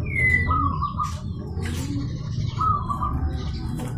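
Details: Local zebra dove calling to goad a rival into replying: two short bursts of rapid pulsed cooing notes about two seconds apart, preceded by a higher falling whistle from another bird, with low steady background rumble.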